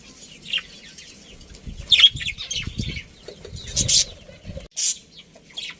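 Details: Budgerigars, a breeding pair in a budgie colony, chirping: scattered short high chirps and squeaky notes come in irregular bursts, with soft low thumps and rustling like wing flapping underneath.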